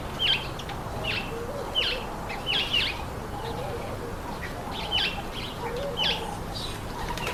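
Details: Speckled mousebirds feeding on an apple give sharp, high, downward-slurred chipping notes, spaced irregularly roughly every second, with soft low cooing from another bird faint in the background.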